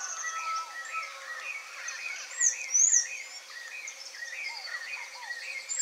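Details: Sayaca tanagers visiting a Brazilian yard looking for food give squeaky, upslurred chirps and thin high whistles in a busy chorus, with other birds and a faint insect hum behind.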